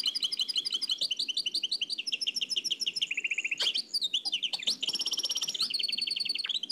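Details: A nightingale in the Oued El Alaiq song style, from an old cassette recording, pours out unbroken fast trills and stuttering repeated notes, shifting between pitch levels every second or so.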